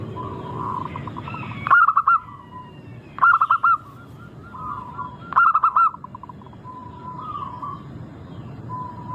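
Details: Lure recording of a local zebra dove with a sweet, crystal-clear song: three loud clusters of quick pulsed coos about two seconds apart, then fainter cooing from other doves.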